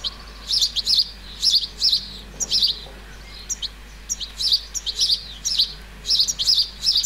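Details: Juvenile European goldfinch calling in a flower bed in the countryside of central France on 30 July 2019: short clusters of high, tinkling twittered notes repeated about once a second, with a steady low hum underneath.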